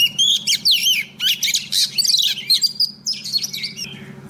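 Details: Female Oriental magpie-robin used as a lure, singing to call a male: a rich, rapid run of varied whistles, slurred rising and falling notes and short chirps with barely a pause, over a steady low hum.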